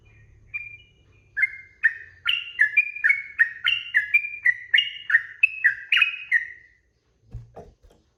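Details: Sooty-headed bulbul, 'ropel' training song for cage birds: a fast chain of bright whistled notes that dip and rise in alternation, roughly three each second, followed by a short pause and a faint low knock at the end.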